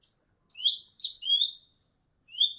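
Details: Ekek keling (Javan bee-eater) calling: three sharp, slightly rising, harmonic-rich chirps about half a second apart, then a pause and one more, clear against a quiet background.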